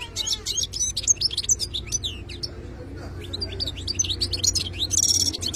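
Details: Sustained wild-caught European goldfinch song: tumbling high twitters and descending slurred notes, a brief lull midway, then more chattering phrases ending in a dense buzzy trill, steady low hum beneath.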